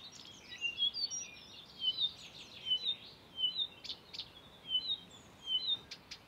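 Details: Mimicking song of a Blyth's reed warbler at Far Ings Nature Reserve, UK, 11 June 2020, borrowing calls of Redstart, Chiffchaff, Greenfinch, Chaffinch, Bee-eater and Quail. High chirpy phrases repeated roughly every second, each a cluster of quick sharp notes.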